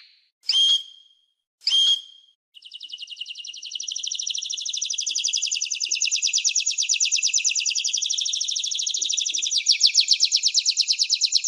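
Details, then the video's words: Canary song opening with two loud separated sharp notes, then a long, dense, buzzy high trill that builds in loudness and quickens near the end. "Canary-Canario Singing 2017(Kanarya Ötümü)"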